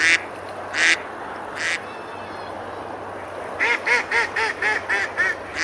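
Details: Ducks quacking while feeding on a river at Besalú, Girona, Spain, on a summer day; three spaced harsh quacks, a pause, then a rapid chattering series of about eight shorter, more tonal quacks over a rushing background.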